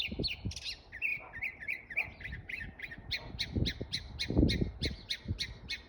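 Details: A bird giving harsh, rasping notes. A burst of scratchy squawks comes first, then clipped calls repeat about three times a second, with low thumps and knocks underneath.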